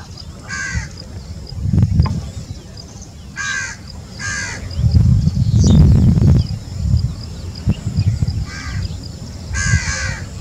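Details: A grey-headed swamphen (Indian purple moorhen) in marshy land in India, foraging through a field, gives about five harsh, nasal, caw-like calls at uneven intervals over ten seconds, over a steady low rumble of wind or distant traffic.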